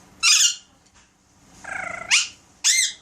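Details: Alexandrine parakeet at home making sound effects: a harsh burst, then a buzzing pulsed note sweeping up into a sharp squeak, and a final harsh call.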